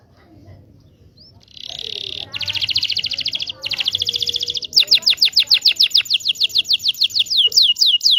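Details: Indonesian local canary singing, meant as a lesson for young canaries learning to sing; after a faint start, buzzy rattling trills build into a fast series of sharp descending whistled notes repeated several times per second.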